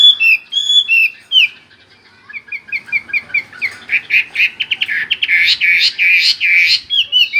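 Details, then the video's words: Chinese hwamei in continuous rolling gacor ngerol song: a few clear whistles, then a fast series of short repeated chirps that speed up into loud, rising notes at about two per second. "Suara Burung Hwa Mei Wambi Gacor Ngerol"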